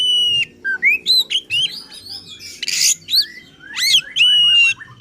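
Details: Oriental magpie-robin singing agitated, provoking song meant to rouse other magpie-robins: loud varied whistles, rising slurred notes and buzzy harsh bursts in quick succession, with long steady whistled notes at start and end.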